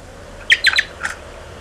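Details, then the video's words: American goldfinch young being fed by adults on 30 July 2011; a few short squeaky chirps sweeping downward, sharp and bright, against a quiet hum. "American Goldfinch (Czyż złotawy) 30.07.2011. Karmienie"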